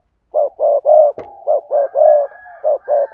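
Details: Rapid spotted dove cooing from a lure recording of sa thúc, gù and gáy styles for provoking wild doves: about eight low burry notes in quick succession over three seconds, nearly unbroken.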